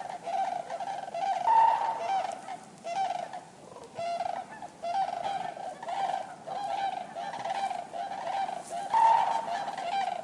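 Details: A large gathering of common cranes giving a continuous chorus of loud, resonant honks. The notes overlap densely, with louder swells every couple of seconds over a steady background of many calling birds.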